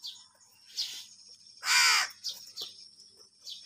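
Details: Crows squabbling for food: a single loud, rasping caw lasting about a third of a second stands out, with brief, high, sharp chirps scattered before and after against a quiet background.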